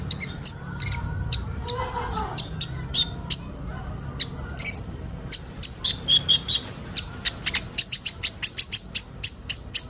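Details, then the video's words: Sunbirds, known locally as kolibri ninja, in a group chorus used as training material to get birds singing quickly: irregular high chirps and squeaky notes, ending in a fast run of evenly repeated, piercing ticks. "Burung kolibri ninja bahan ombyokan cepat gacor"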